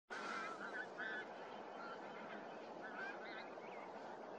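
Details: Pink-footed geese at Starene in 2023, a dense flock giving overlapping nasal honks and yelping calls over a steady roar of massed goose chatter.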